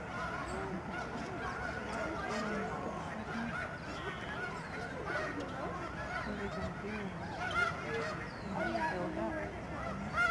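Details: Hundreds of snow geese honk while flying over the George C. Reifel Migratory Bird Sanctuary in the Fraser River estuary, Canada, in March 2011. There is a steady, dense babble of short nasal honks with a few higher yelps.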